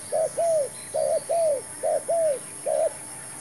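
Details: Spotted dove kept as a fresh decoy while trapping wild doves tries out a new snare, calling in low, rounded coos, each given as a quick double note, about four pairs in steady succession.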